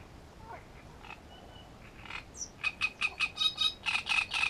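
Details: A great reed warbler recorded near its nest at Grachevka, 17 June 2016, sings a loud, harsh, croaking run of grating notes, about two or three per second, after a few softer, scratchier sounds.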